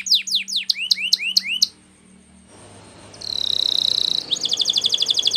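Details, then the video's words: Canary training song: a run of rapid downward-sweeping whistled notes, then a short pause, followed by a loud buzzy trill and a series of fast repeated rolling notes. "Canary's Most powerfull Song For Training"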